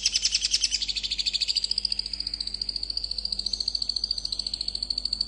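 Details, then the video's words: Long-tailed shrike in fast, tight gacor song meant to provoke other shrikes to answer: a rapid, buzzy high trill of even pulses, starting loud and harsh, then settling into a steady thin rattle. "Cendet gacor speed rapat ampuh untuk memancing cendet lain langsung nyaut"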